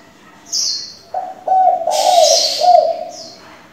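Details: Spotted dove used as a varied-voice decoy to train young doves: a clear run of mellow, purring coos, about two per second, with a sharp high chirp before and a hissy high burst over the middle.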